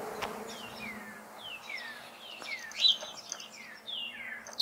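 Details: Male Northern Cardinal calling in Ohio on a sunny spring morning, 21 March 2021, with other birds answering. It gives a series of clear downslurred whistles, each sliding from high to lower, repeated about every half second, with fainter responding notes behind.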